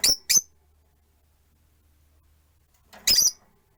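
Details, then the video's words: Shrill, very high chirps from caged Rosy-faced lovebirds, four birds on perches by a window: a quick doubled burst, a quiet pause with a faint low hum, then a louder squeaky chatter. "Lovebird Chirping Sounds"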